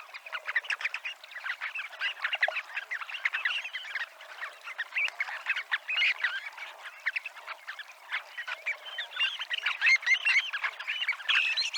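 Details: Flock of Dunlin (Calidris alpina) near the promenade at Abruñeiras in Noia, Ría de Noia, giving a dense, continuous twittering of brief rasping notes from many birds at once, rising and falling in loudness throughout.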